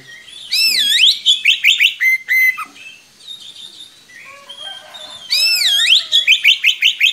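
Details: Long rolling song from an energetic Oriental magpie-robin, used to tutor young birds: looping swooping whistles, quick rising notes and a flat whistle, a quieter varied passage, then the swooping phrase and rapid notes again.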